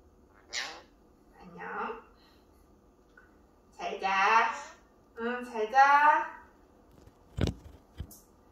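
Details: Pet Senegal parrot indoors speaking to its owner in Korean: "mom", "hello" and a clumsy "I love you". Several short, speech-like phrases with stacked tonal bands, followed by sharp clicks near the end.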